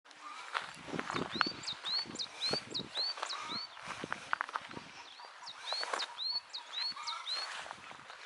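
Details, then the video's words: A bird singing outdoors in a rural setting, repeating short arched whistled notes about twice a second over a busy background of other chirps, clicks and rustling footsteps. "ave cantando"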